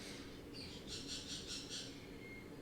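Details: Several pet sun conures (Aratinga solstitialis), outside chirping loudly beyond an open door, give a quick run of harsh, high chirps, five or six in close succession.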